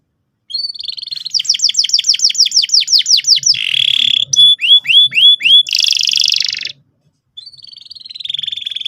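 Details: Vigorous canary song played to make young canaries start rolling: after a brief quiet start, quick repeated trilled notes, a buzzy roll, descending whistles, another buzz, then a softer drawn-out trill.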